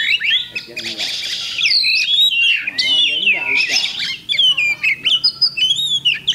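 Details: Kacer, or Oriental magpie-robin, singing at a bird contest held 8 October 2020: rapid sweeping whistles and buzzy chirps, then a rhythmic string of short, repeated notes near the end.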